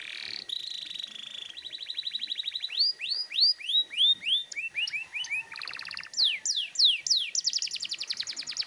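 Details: Canary singing vigorous 'gacor ngotot' song to provoke untrained canaries: steady buzzy trills, then repeated rising-falling whistled notes, a fast rattle and rapid descending sweeps into a dense high trill.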